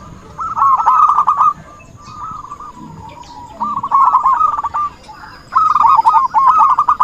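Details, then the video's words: Zebra dove lure call for trapping: three bursts of fast, bubbling coo notes, the first and last loudest, with a softer phrase between and quiet gaps; faint high chirps in the background. "suara burung perkutut buat pancingan || suara pikat perkutut"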